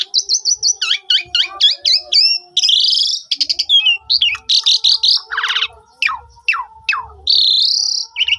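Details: Asian pied starling song played as a lure for non-singing starlings, phone recording: repeated short whistles, hooked chirps, harsh buzzy bursts, steep falling sweeps and a final rising whistled phrase.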